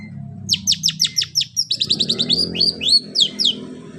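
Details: Long-tailed shrike imitating a canary, delivering a fast series of high, sharply falling chirps that shift into quicker twittering and a few clear, rising whistled notes.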